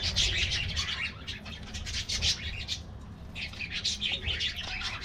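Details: Colorful budgies in an aviary colony getting a morning diet treat: dense overlapping high chirps and twitters from many birds, in bursts with a short lull near the middle, over a low background rumble.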